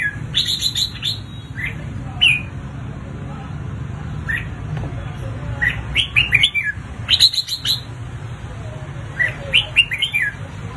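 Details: Red-whiskered bulbul in intense competitive singing used for training: bursts of bright whistled notes rising and falling, chattering phrases in clusters at the start, middle and end, over a steady low hum.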